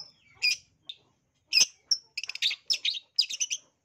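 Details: Long-tailed shrike lure song, bird in breeding condition: scattered high whistles and chirps, then tight bursts of rapid twittering notes.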